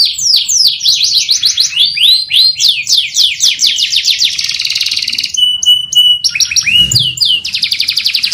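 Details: Canary singing a long, continuous training song: rapid runs of steep downward-sweeping chirps, a rolled buzzy trill, a clear sustained whistle, then more fast repeated notes.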